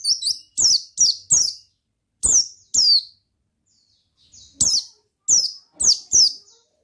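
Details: Oriental white-eye singing in 'ngalas' style. Around thirteen high, steeply falling chirps come in rapid clusters, broken by one silent gap of nearly two seconds.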